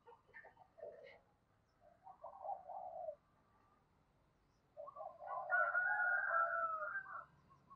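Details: Spotted dove used as a lure for wild birds, cooing at lower volume: two smeared, throaty coo phrases separated by a quiet gap, with a faint background hiss.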